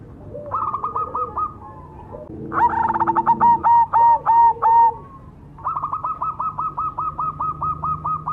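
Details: Cemani zebra dove, a black variety, singing a lot: higher stuttering coo runs open and close the passage, broken by a loud, deep, resonant burst of rapid pulses, with a faint lower hum underneath.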